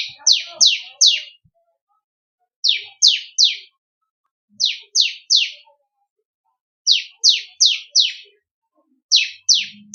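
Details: Bar-winged prinia song used to train songbirds: sharp descending notes in quick groups of three or four, repeated every second or two with short gaps and some soft low background clicks.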